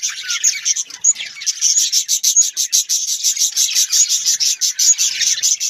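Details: Several budgerigars, called Australian parrots, chirp and warble in a dense high chorus. Quick regular pulses repeat throughout, with a few brighter notes on top.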